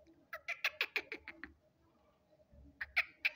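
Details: Black francolin (kala teetar) giving a quick series of sharp, grating pulsed notes, about eight in a second-long burst. After a quiet pause, a second burst of the same notes follows.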